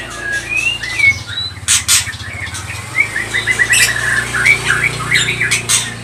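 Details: Lure song of a white-rumped shama (murai batu pastol) to provoke other shamas into singing: clear rising whistles, then a quick run of short repeated chips and slurs, with noisy bursts and a low hum.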